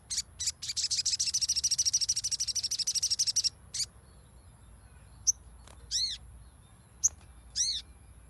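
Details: Lure recording of a crimson sunbird (sogon) meant to make a silent bird sing: a rapid, very high buzzy trill for about three seconds, then scattered sharp chips and a few arched ringing notes.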